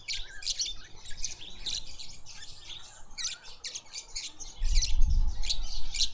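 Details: Red-faced mousebirds (Urocolius indicus) in a suburban garden in Pretoria, South Africa, chatter in high, thin, overlapping chirps, several notes a second; a low rumble of wind or handling grows stronger near the end.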